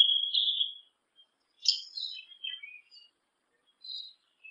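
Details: Yellow-legged thrush (sabiá-una) song: a long level whistle, then a cluster of quick descending chirps and a single short high note after a pause.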